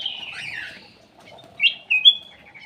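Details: Aviary bulbul song used as a lure: a slurred, wavering warble, then after a pause two clear whistled notes, the second higher and ringing.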